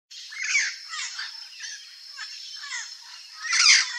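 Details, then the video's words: Wild turquoise-fronted parrots (Amazona aestiva) in natural habitat in Brazil giving harsh, raspy squawks in irregular bursts, with a louder grating outburst near the end over a steady high insect-like hiss. "PAPAGAIO VERDADEIRO Canto (AMAZONA AESTIVA) TURQUOISE-FRONTED PARROT"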